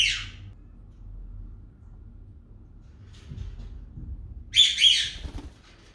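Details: Rose-ringed parakeets, a newly bought male and a female rescued from the forest, meet and the female reacts unexpectedly: a brief harsh screech, then two loud rasping squawks close together, over low room hum.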